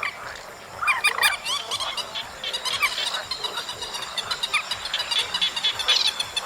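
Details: Several chestnut munias chatter in August with crowded, high, squeaky chirps, surging in bursts around the first and third seconds, then a steadier twitter over light hiss.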